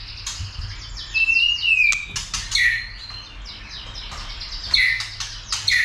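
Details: White-rumped shama worked up to sing and fight: high thin whistles and short sliding notes, a long steady whistle near the start, then repeated sharp chirps over faint background hiss.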